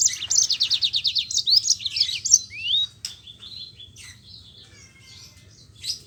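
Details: Yellow-fronted canary singing with rolling trills to get idle canaries singing: about three seconds of rapid high repeated notes and a rising slurred whistle, then a few softer thin notes and a faint closing chirp.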